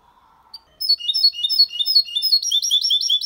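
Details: Mule of goldfinch and canary singing a faultless 'copia malaga' song for stimulating females and teaching youngsters; after a quiet moment, a brisk run of repeated high chirps, almost three per second, accelerating into tight trills.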